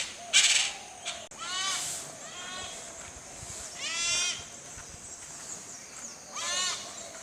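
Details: Sri Lanka grey hornbill recorded in Sri Lanka, giving harsh, nasal, rapidly pulsed calls in short bursts every second or two, over a steady background hiss.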